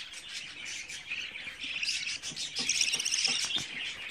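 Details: Twenty-four-day-old budgerigar chicks chirping in a dense, scratchy, high-pitched stream of rapid notes, about four per second, that grows louder toward the end.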